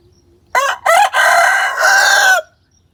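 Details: Chicken crowing and calling out, searching after a recorded hen sound was played to her: a short harsh opening burst, a second note, then a long loud harmonic drawn-out cry of about 1.3 seconds, over a quiet background.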